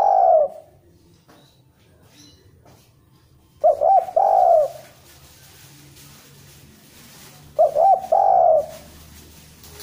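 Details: Spotted dove coo used to draw in other birds; the bird is said to be fairly good and quick though not a constant singer. Low mellow phrases roughly every four seconds, each two short hoots and a long wavering coo.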